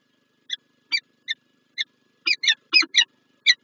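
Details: Peregrine falcon pair meeting in the morning at PGE Lublin, Poland, 19 January 2024: a series of short, harsh, repeated chipping calls, sparse at first, then quickening into a tight cluster before a final single note.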